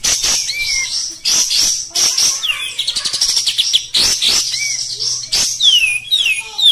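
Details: Pet Oriental white-eye singing steadily in 'tembak kasar' style: bursts of high, squeaky twitter roughly every second, a fast machine-gun series of short clicks midway, and thin falling whistles.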